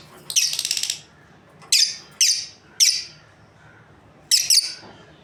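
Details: Lovebird breeding pair: a buzzy pulsed chatter, then separate sharp high chirps about every half second, ending with a quick doubled call.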